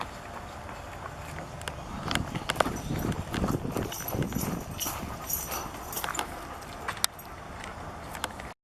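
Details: Two mute swans flying directly overhead, headed south, on 18 July 2014, their wings throbbing in a rhythmic, whooshing pulse about twice a second that swells and then fades away.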